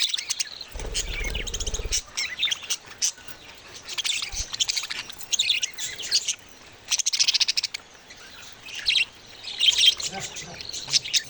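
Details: Budgie babies produce bursts of sharp high chirps and raspy warbling chatter, loud and busy, with a low thud near the start.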